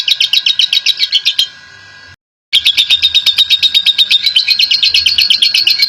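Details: Long-chattering ngekek lovebird, a national champion, on a lure recording: quick, metallic high chips at a steady pace, broken by a short quiet gap before the fast rattle resumes and carries on evenly.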